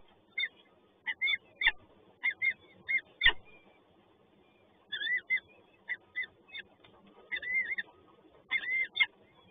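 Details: Peregrine falcon chicks begging at feeding time in Toruń, Poland: clusters of thin, wavering high squeals and screeches in quick bursts, a brief pause mid-way, then more calling, with low background hum.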